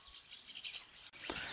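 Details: Large flock of rosy starlings seen at Musinci, Pelagonia, possibly just passing through, giving dense, harsh chatter of overlapping high scratchy chirps and squeaks with a brief break near the end.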